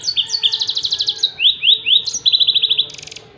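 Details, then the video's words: Yellow-fronted canary song used to train songbirds, with rapid buzzy trills, three slurred upswept whistles, then another fast trill, all high and continuous. "SUARA TEMBAKAN BURUNG MOZAMBIK || COCOK BUAT MASTERAN"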